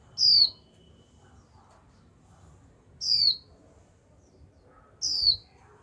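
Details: Continuous 'chíu' calling from a caged young female Japanese white-eye, used to spur males to sing: three piercing, high, downward-sliding whistles spaced about two and a half seconds apart, with a quiet background.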